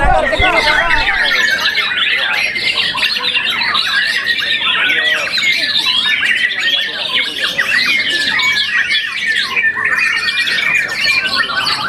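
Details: Young white-rumped shama after its first moult, a contest winner, pouring out a dense varied song of rapid whistles, chattering notes and squawky phrases without pause, with a man's voice heard at the start.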